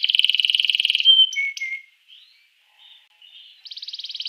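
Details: Singing canary, used to spur rival canaries into song: a loud rapid trill, a few clear slurred whistles and faint quiet notes with gaps, then another fast buzzy trill begins.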